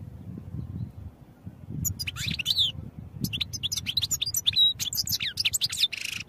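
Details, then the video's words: European goldfinch song for training: after a quiet opening, a lively stream of high tinkling twitters, sliding whistles and a sustained pure note, closing with a buzzy rasp. "Goldfinch Songs for Training"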